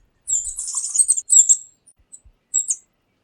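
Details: A tanager delivers a rapid, buzzy, high-pitched chatter in two phrases, followed by a short final buzzy note.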